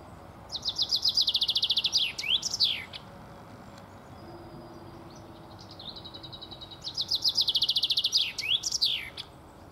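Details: A singing (male) common chaffinch gives two bright songs about four seconds apart, each a rapid run of high notes ending in a quick flourish, with faint distant chirps between.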